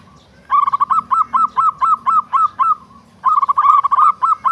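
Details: Local-type zebra dove (perkutut) singing: after a short pause, a burst of rapid, soft cooing notes, each bent and arched, runs for over two seconds, stops briefly, then starts again in a second quick series.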